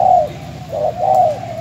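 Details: An aged spotted dove from Bến Tre, a caged decoy bird filmed before its sale, gives a run of low, mellow coos: a strong opening note, then two soft, rounded notes.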